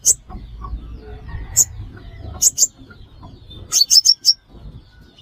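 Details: Sunbird recorded as a trapping lure: scattered single sharp, high chips, then a quick cluster of four, against a low humming background.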